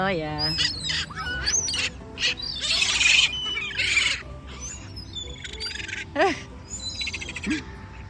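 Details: A young gull by bird water gives repeated shrill, wavering screams over busy chatter from pigeons, ducks and other birds; laughter and music are heard too.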